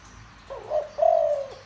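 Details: Single phrase from a deep-voiced spotted dove meant to stimulate decoys: a wavering short lead-in, then a long steady coo that ends with a small downward slur.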